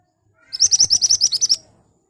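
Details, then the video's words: Sharp, lively song of an ashy tailorbird, used as a lure to make birds respond: about nine loud, high chirps delivered in a quick, even rhythm over one second, each note clipped and piercing. "Burung Mantenan Gacor Nembak Tajam Cocok buat Pancingan agar cepat Nyaut"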